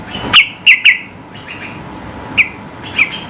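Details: Yellow-vented bulbul high song meant to provoke rivals into singing. Three quick ringing chirps open, followed by two spaced, slightly falling notes over a faint background hiss.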